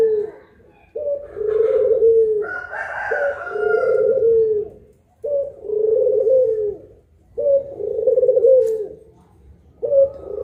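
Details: Puter pelung collared dove recorded in broad daylight, one of two birds: five low, drawn-out coos, each about a second and a half long with a short rising start, spaced roughly two seconds apart, a brief higher whistle near the second.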